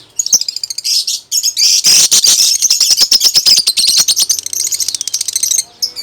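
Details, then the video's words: Steadily singing lovebird pours out a long, unbroken stream of shrill, grating chatter laced with rapid ticking clicks, loud and dense for about five seconds before stopping. "Burung lovebird sudah mulai mantap berkicau"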